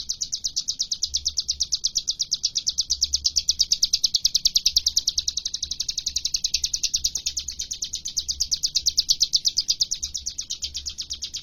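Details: Persistent singing by a hill prinia (cigun, ciblek gunung) in varied bursts, here one long unbroken rapid trill of high, dry notes, about three per second, holding steady in pitch and loudness throughout. Faint low hum.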